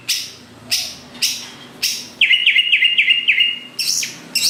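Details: Caged greater green leafbird in vigorous song meant to provoke other leafbirds into singing: harsh broadband bursts alternate with a run of clear whistled notes repeated quickly, about four a second.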